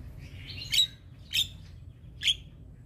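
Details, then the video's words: Javan myna (jalak kebo), played to prompt stressed birds reluctant to sing into calling back; three harsh, squeaky chirp bursts spaced about half a second to a second apart over a low, steady background hum. "Jalak Kebo Stres MAlas Bunyi Langsung Nyaut Dengar Suara Burung Jalak Kebo Ini"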